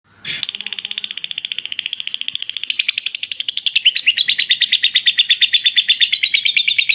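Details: Caged lovebird giving a long ngekek chatter, kept as a master recording for training other birds: a rapid, steady train of high, harsh buzzy notes, about three per second, running on and shifting slightly in pitch midway.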